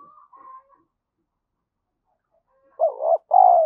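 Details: Spotted dove decoy bird cooing in an urging style to stimulate other doves: after near silence, one loud two-part coo ends the stretch, a short wavering note followed by a longer, slightly falling hum.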